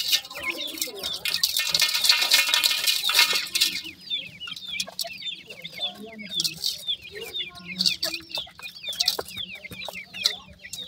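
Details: Young grey francolin chicks, recently hatched; a loud hissing rush fills the first seconds, then many thin, high, falling peeps repeat quickly, overlapping in a steady chorus.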